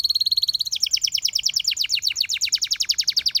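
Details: Canary song for training: a fast trill of short high notes, then a long series of quick descending sweeps repeated about four times a second, bright and ringing.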